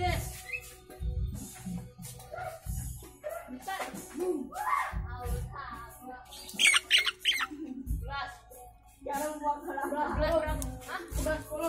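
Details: A Nias hill myna in the afternoon gives loud, varied whistles, harsh squawks and gurgling notes in uneven bursts, with music and voices underneath.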